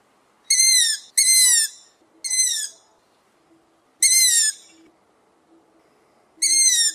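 A young long-eared owl gives five high, squeaky, slightly falling calls, like a creaking gate, at uneven intervals over a quiet background.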